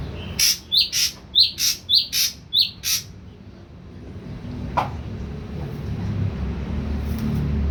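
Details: Young ashy drongo, three weeks old and fully weaned onto food, beginning to sing: a series of short sharp upswept chirps repeated rapidly about seven times, then a quiet pause with low background rumble.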